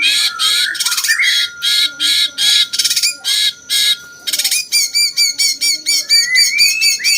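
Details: Jenggot-style song of a cucak cungkok bulbul, kept as a tutor for champion songbirds: rough squawky bursts repeated about twice a second, shifting into quick clipped notes with rising whistled tails, steady tone behind.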